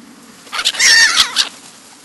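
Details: One loud, harsh, wavering screech lasting about a second, from a black-headed gull in the New Forest, Hampshire, England, in July 2009.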